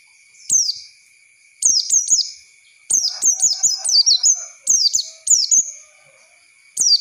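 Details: Lure song for young Oriental white-eyes learning wild singing: bursts of high, falling whistled notes in runs of two to six, spaced by short silences, with a faint steady tone in the background.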